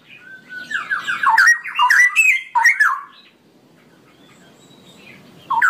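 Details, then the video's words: Cucak rowo, the straw-headed bulbul, gives a ropelan song of tumbling, liquid warbled notes for about two and a half seconds, then falls silent apart from faint background hiss, with one note starting again at the end. "suara burung cucak rowo ropelan panjang"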